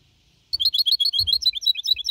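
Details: Goldfinch hybrid, four and a half months old, clean Malaga-copy song from 2021: after silence, a fast cascade of bright, tumbling twittered notes with soft thuds below.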